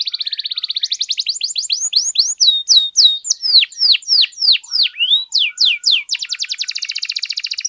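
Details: Canary song played to rouse other canaries into singing: a buzzy trill opens, then loud rapid rising-and-falling whistled sweeps, about three or four a second, closing on another fast buzzy rattle.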